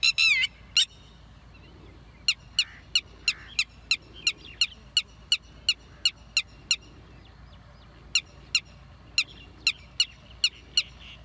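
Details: Red-wattled lapwing calling: a loud, sharp burst at the start, then a long series of short, piercing, high notes repeated about three times per second in two runs separated by a brief pause, over faint background hiss.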